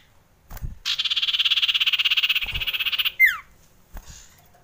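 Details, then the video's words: A frightened common iora gives a long, harsh, buzzing rattle of rapid even pulses for over two seconds, ending in a sharp falling note, amid a few soft knocks. "SUARA PIKAT CIPOH KETAKUTAN"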